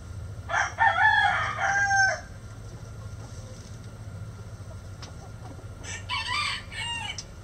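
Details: A rooster gives a rough, loud crow lasting about one and a half seconds. After a quiet gap, shorter harsh fragments of a second crow follow over a low hum.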